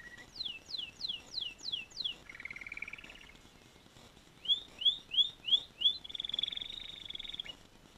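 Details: Singing canary: six quick falling whistles, a short buzzy rattle, a pause, then five rising chirps leading into a sustained high buzzy trill.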